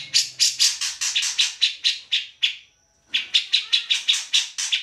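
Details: Grey-cheeked bulbul singing energetically, used for tutoring songbirds such as white-rumped shama and greater green leafbird: harsh, buzzy chattering notes repeated about four times a second, a brief pause with a thin high steady tone, then chattering resumes.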